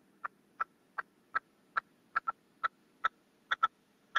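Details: Red-legged partridge, a caged male decoy calling to wild birds, utters a regular string of short clipped notes about every 0.4 seconds, some doubled, against a quiet background.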